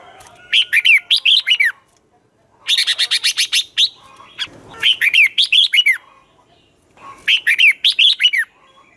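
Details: Red-whiskered bulbul morning competitive song in the twisting 'giọng xoắn' style, used to train birds. Three bursts of quick, bright, rising-and-falling whistled notes in rapid runs, each lasting about a second, separated by short silences.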